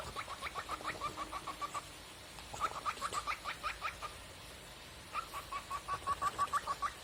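A cockatiel gives short, quick chirps in bursts, several notes each second.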